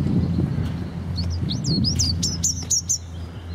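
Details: Robin song in a Keswick park in Cumbria: a quick run of high, sweet, downslurred and twittering notes in the middle of the recording, set against low, constant background hum.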